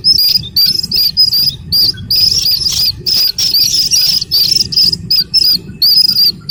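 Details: Insistent high peeping by a young Slaty-legged crake, short squeaky notes packed in rapid runs separated by tiny breaks, even in pitch and volume, low faint rumble beneath.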